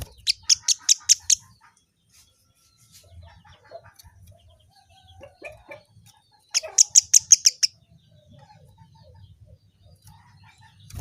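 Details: Kemade bird, whose call is recommended as a tutor song for Greater Green Leafbird, gives two loud bursts of rapid, piercing chirps about six seconds apart, with scattered soft clicks and chips in between.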